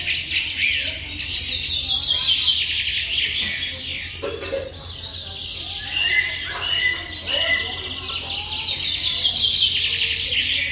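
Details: Small nestling birds waiting for food: a dense, continuous chorus of high, thin, rapid chirps and squeaks from many young, rising and falling in intensity, over a steady low hum.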